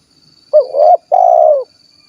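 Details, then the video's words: Spotted dove of the kuk 1 type from Cilacap, Central Java, giving one mellow coo phrase: a short rising-falling hooting note, a brief gap, then a longer steady purring coo. A faint thin high whine runs in the background. "SUARA BURUNG TEKUKUR / DERKUKU KUK 1 GACOR"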